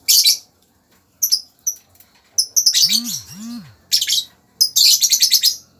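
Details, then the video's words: Lovebird giving shrill, high-pitched chirps and squeaky bursts in irregular clusters, with a denser chattering run near the end and short silent gaps between calls. "suara burung lovebird"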